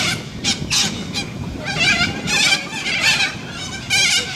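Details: Noisy Australian white cockatoos shrieking loudly. Grating, hoarse squawks come in repeated bursts, some clustered close together and others spaced about a second apart, over faint low background noise.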